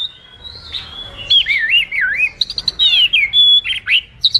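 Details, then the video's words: Oriental magpie-robin song for training or luring birds: a long sustained whistle opening into fast warbling, wavering slurs, then bright repeated whistled notes and quick upward flicks. "Masteran suara burung kacer super gacor, Suara pikat burung kacer"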